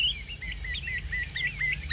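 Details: Chinese hwamei, a caged bird, in 'ngũ trường' style song: a continuous run of bright, looping whistled phrases that rise and fall, delivered quickly over steady background hum.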